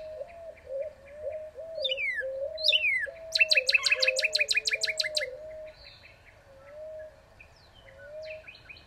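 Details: Singing northern cardinal: two bright whistles sweeping downward, then a quick burst of repeated chipping notes. Lower, wavering whistles from another bird run beneath and continue afterward.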